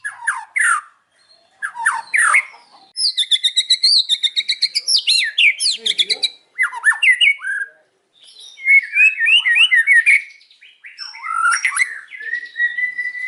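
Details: White-rumped shama in afternoon song, a long varied sequence of sharp descending whistles, rapid rattling trills repeated many times, and twisting slurred phrases ending on a steady whistled note.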